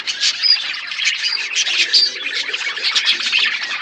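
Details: Budgerigars eating food in an outdoor aviary, a flock chattering nonstop with dense, scratchy warbles and short squawks, overlapping chirps filling the whole stretch at a steady loudness.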